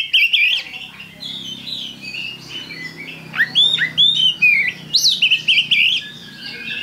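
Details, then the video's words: Oriental magpie-robin singing strongly, with loud looping whistles, sharp downslurred notes and chattering trills in closely spaced bursts of varied phrases. "Pancingan Kacer Gacor"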